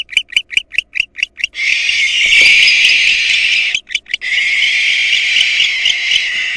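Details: Barn owl nestlings under attack from an intruding female: seven quick clipped rasps in a fast series, then sustained harsh hissing screeches interrupted once by a short stuttered burst.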